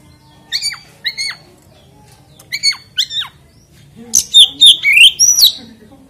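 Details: Oriental magpie-robin song to prompt other magpie-robins to sing: spaced pairs of down-slurred whistles early on, then a louder quick run of bright whistled and rising notes near the end.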